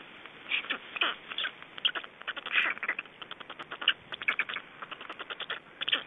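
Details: Black storks in Estonia during feeding, 25 May 2012: uneven, scratchy clicking calls, louder harsh notes scattered among rapid softer pulses, rhythm irregular throughout.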